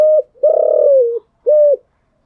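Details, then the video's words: Spotted dove with a standard-tone coo in the early morning: short clear note, long buzzy-edged coo dipping at its end, then one more short note, with nothing else heard. "Tiếng chim gáy buổi sáng"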